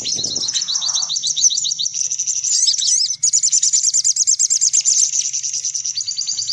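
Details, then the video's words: Brown-throated sunbird calling noisily, used as a lure sound to attract sunbirds: continuous shrill twittering, fast repeated sharp chips with short rattling flourishes midway, steady and insistent; faint low hum in background. "Suara Pikat Burung Kolibri Paling Manjur || Sogok Ontong Ribut"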